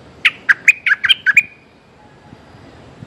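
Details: Streak-eared bulbul calling a mate: seven sharp, chirping notes in quick succession over about one second, then quiet with faint background rustle.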